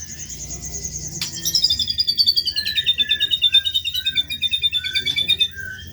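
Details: White-rumped shama singing hard, a rough-material tutor recording: a long run of fast, evenly repeated high notes, then a bright sliding chain of notes that steps slowly downward, with a sharp click near the start.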